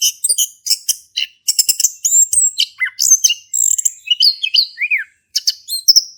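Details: Male orange-headed thrush in full song, used to prompt a silent thrush to sing; rapid, varied phrases of high whistles, sharp chips and buzzy notes, some sliding downward, delivered almost without pause.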